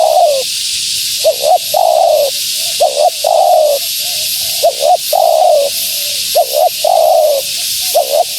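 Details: Female spotted dove calling, used to lure wild doves: soft, hollow coos in repeated phrases, each a short note then a longer rolling coo, phrases roughly every two seconds, with faint steady hiss behind.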